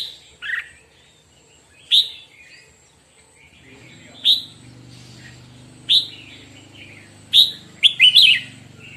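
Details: Red-whiskered bulbul practising its morning song, single sharp whistled notes spaced about one to two seconds apart, ending in a quick warbled cluster, low background hum and faint voices.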